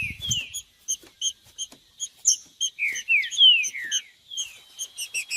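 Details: Falling, slurred whistles of a green-winged saltator, played to stimulate a cold captive bird, delivered in quick succession midway, set against regularly repeated high, tinkling chirps and a brief low thump at the start.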